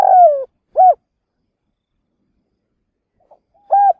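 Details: Decoy spotted dove provoking wild doves for trapping. A buzzy coo slides downward, then a short arched coo follows. After a silence a soft pip and a flat coo start the next phrase.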